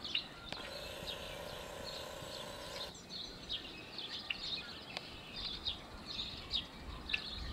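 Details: Yellow-headed blackbirds in a marsh at Malheur Wildlife Refuge, Harney County, Oregon, April 2024: one long, harsh, grating buzz lasting over two seconds, then a busy scatter of short, high chips and clicks from many birds.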